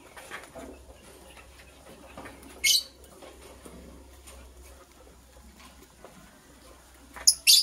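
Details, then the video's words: Green and blue lovebirds in the morning, preparing for egg laying: two loud, harsh, high-pitched chirp bursts about four and a half seconds apart, over quiet background rustling and a low steady hum. "Green and Blue Lovebird Chirping Sounds - Preparation for Egg Laying"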